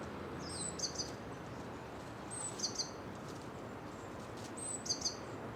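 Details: Japanese tit song, faint and high-pitched: three repeats of a thin whistled note followed by a quick doubled chip, roughly every two seconds, with constant background hiss and occasional rustling of dead leaves from footsteps.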